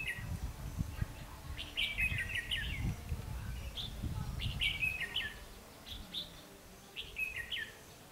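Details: Decoy red-whiskered bulbul, white-cheeked Ché form, singing at a trap on 12 August 2016 to draw in wild birds; quick chirpy warbling phrases come in repeated clusters above steady low-pitched rumble and handling noise.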